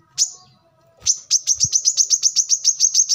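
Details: High, piercing chirps from a brown-throated sunbird (kolibri kelapa, manggar), recorded as a tutor for cage birds. A single note and a pause lead into a fast, even string of repeated tweets.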